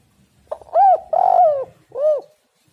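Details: Cooing spotted dove in a phrase used to attract doves: a brief hoot, a rounded coo, a longer rough burred coo and a smooth falling last coo, evenly spaced.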